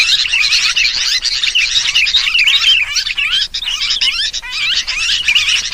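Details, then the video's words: Noisy sooty-headed bulbul chatter used as a lure to make birds gather: a steady wall of high, overlapping chirps and slurred warbles with no real pause. "Suara pikat kutilang ribut semua jenis burung pada ngumpul"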